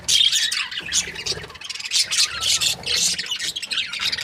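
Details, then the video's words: A happy breeding pair of budgerigars chirps and chatters continuously. Bright, squawky bursts come in quick succession with barely a pause, loud and high-pitched throughout. "Happy budgie chirping sounds 🦜| breeding pair"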